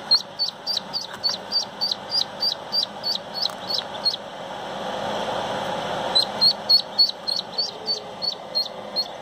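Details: Pekin duckling leaving its shell: clear, sharp high peeps repeated about three times a second in two bursts, separated by a short pause, above a low steady hum.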